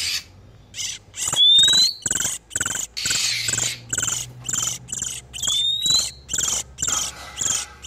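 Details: Lure recording of oriental magpie-robins, male and female in breeding condition, for catching wild birds: a string of harsh buzzy rasps, two clear upward-sliding whistles between them.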